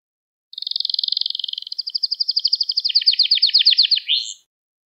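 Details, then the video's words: Training song of a canary for young birds: after half a second of quiet, a single long trill of rapidly repeated notes that slows slightly and broadens, ending in an upward flick. "Kanarya Sesi Ve Ötüşü"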